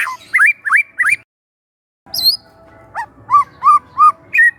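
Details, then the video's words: Young wild White-rumped shama, used as a relaxed training lure, sings three quick looping whistles, pauses, then a row of rounded arching notes repeated evenly, ending on a higher whistle. "PANCINGAN SANTAI MURAI MUDA HUTAN🔴🔴 shama bird🔴 bird vocalization"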